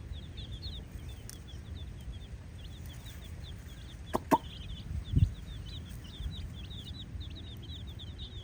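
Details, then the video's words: Multicoloured baby chickens playfully exploring a hollowed-out space give a continuous stream of thin, high, downslurred peeps, several birds overlapping, over a steady low rumble with a couple of sharp knocks midway. "MULTI COLOUR Murgi Chicks are Chirp Sounds! 🐥 Chirping & Playing Fun"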